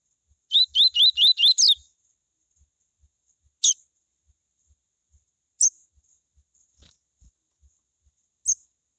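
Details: Tui tui style song of a coleiro, meant to get other coleiros singing: a quick burst of about six slurred whistled notes, then three isolated sharp chips spaced roughly two seconds apart over a faint high tone.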